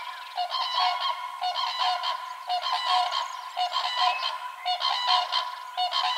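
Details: Wild common cranes in spring during the breeding season, calling while dancing as pairs form: loud, trumpeting, harmonic bugles in overlapping bursts, repeated roughly once a second throughout.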